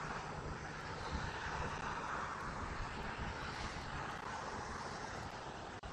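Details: Broad, steady roar of a passing fixed-wing aircraft carries across the whole stretch with no clear animal voice.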